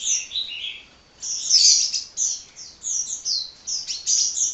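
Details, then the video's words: Kolibri, called hummingbird, chirping incessantly. Softer high twitters open, then after a short pause loud, shrill chirps and quick descending slurs tumble one after another. "Kicau Burung Kolibri Ngocehnya Ngedyan Ra Leren Leren"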